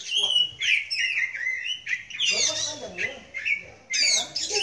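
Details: Oriental magpie-robin (Copsychus saularis) at a relaxed Sunday bird meet-up sings a varied run of clear, sweet whistled phrases, some rising and some falling, with softer low murmuring in the background.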